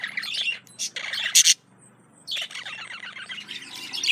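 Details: Budgerigar male courting a female: harsh buzzy chatter, a loud scratchy squawk, a brief pause, then renewed rapid warbling chatter rising at the end.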